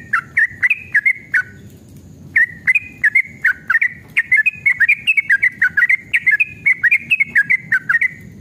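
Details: Yellow-vented bulbul in fighting mood sings a long 'ropel' lure song to get other bulbuls singing. Several quick bubbly notes open it, then a pause, then a denser chattering run of slurred whistles lasting six seconds.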